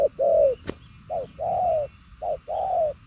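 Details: Spotted dove, purple-legged 'đồng son' variety, delivering strong mellow coos. A short note leads into a long, even, slightly falling coo, three times, with a sharp click near the start.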